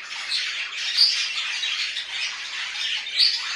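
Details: Budgies in home care keep up a continuous scratchy warble of fast chirps and squeaks, with two sharp, piercing whistled notes standing out near the start and the end.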